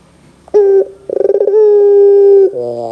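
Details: Barbary dove (puter) cooing in the 'gacor dor' style, used as a lure to make young doves answer: a short coo, then a fast stuttering pulsed lead-in running into one long, steady, low hollow coo held about a second.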